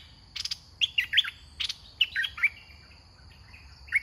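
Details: Red-whiskered bulbul used as a caged decoy for trapping, singing a string of short, loud, liquid whistled phrases that rise and fall, with brief gaps between. A steady high insect whine and buzzy pulsed bursts run behind.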